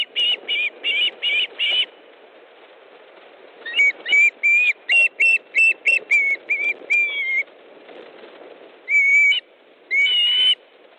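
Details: Estonian osprey nest, 18 August 2014 at 18:05, fish delivery by the male: a quick run of five sharp whistles, a pause, then a longer burst of clipped shrill yelps, and two final drawn-out whistled cries.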